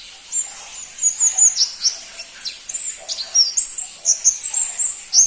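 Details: Shrill, clear chirps and short high whistles, some slurred down, follow each other about every half second from a crimson-breasted flowerpecker (pentis pelangi), loud and close against little noise.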